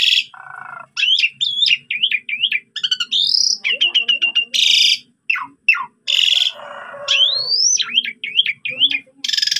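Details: Jalak suren, the Asian pied starling, on a training recording made to provoke rival starlings: rapid wavering zigzag whistles, harsh hissy bursts, clicks and a low buzzy trill, with murmuring voices faintly behind.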